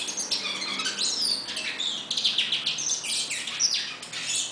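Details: Wild hooded siskin in full song, a continuous high-pitched stream of twittering notes, quick chirps and buzzy trills with no pauses.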